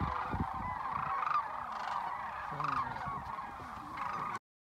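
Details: Massed sandhill cranes at the Whitewater Draw nature area in southeastern Arizona during the January 19, 2019 fly-in. A thick wall of purring, rattling calls from the flock is heard, and some nearer individual croaks stand out before an abrupt cut to silence.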